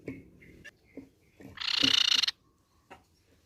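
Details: Grey-cheeked tit-babbler giving short whistled notes and clicks, then a dense, rasping, buzzy chatter lasting under a second, followed by a single faint note.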